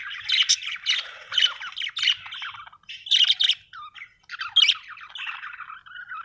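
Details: Cheerful budgerigar chirping in separate bursts of raspy, squeaky warbling and chattering notes, broken by short pauses, with several louder scratchy phrases and a quieter trailing chatter at the end.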